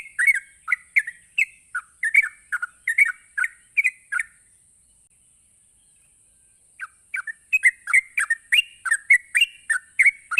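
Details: Sooty-headed bulbul in rapid ropelan song, meant to provoke other bulbuls into answering: quick bubbly chirped phrases, each note dipping and rising, delivered in a dense burst, then a pause of about two seconds before the run resumes; a steady high whine persists throughout.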